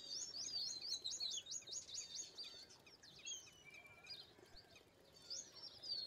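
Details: Indian pied myna, a starling of the Indian subcontinent, with a rapid run of high chattering, whistled notes at the start, then scattered squeaks and slurred whistles, and a brief burst again at the end.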